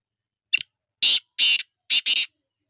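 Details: Grating phrase of a black francolin: a short clipped note, then four strong scratchy, buzzy notes spaced about a third of a second apart, the last two almost running together, with silence around.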